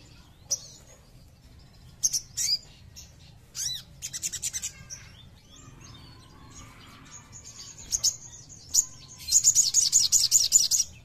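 White-flanked Sunbird giving very high, thin chips and short bursts, ending in a fast, sharp trill.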